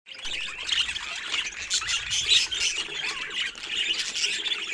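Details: Budgerigars of assorted colour mutations chattering together in a dense, continuous mix of high squawks, chirps and warbles, with many overlapping voices and no pauses.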